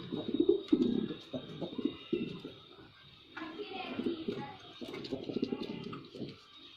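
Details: Male white pigeon performing its coo, recorded indoors: low throaty cooing in short rolling bursts, several in quick succession, with pauses between phrases and faint background noise.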